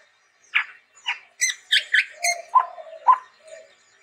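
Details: Chestnut-rumped babbler giving a string of short chirps and harsh notes, with a few low clear whistled notes toward the end.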